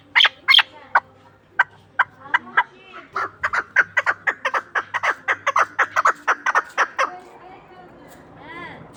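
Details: Chukar partridge from Ishkoshim, a game bird: a few loud, spaced clucks, then a quickening, rhythmic series of sharp chuck notes that builds steadily and then fades out.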